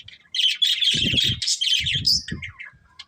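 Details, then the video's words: Budgerigar breeding pair giving continuous high, buzzy chattering warbles, loud and unbroken for most of three seconds, with some low thumping sounds underneath. "Beautiful Budgies Chirping Sounds"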